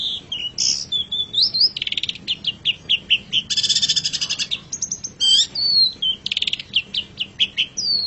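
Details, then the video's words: Long-tailed shrike master song for training pet birds: long rich medley of rising and falling whistles, rapid chattering trills and harsh buzzy bursts, continuous throughout. "Suara Burung Cendet"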